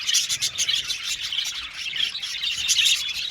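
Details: Budgies in an aviary colony, a lively mass of rapid chirps and warbles from many birds at once, high and unbroken.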